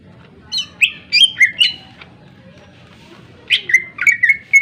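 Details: Greater green leafbird singing to provoke other birds: two clusters of loud, sharp whistled notes, some sliding downward, separated by a silent stretch of over a second, faint low hum underneath.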